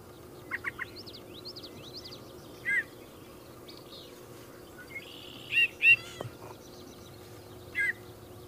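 Yellow-breasted chat giving loud, harsh, clipped notes at irregular gaps, along with faint high chirps and short whistled phrases, over a soft steady background hiss.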